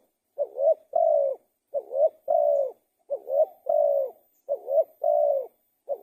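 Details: Spotted dove repeating its cooing phrase about every 1.3 seconds. Around five phrases, each a short wavering coo joined to a longer steady one, in a clean, quiet background.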